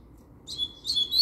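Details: Short fragment of double-collared seedeater song: two quick high phrases of clear chirped notes ending in a rising whistled slur, over a quiet low hum.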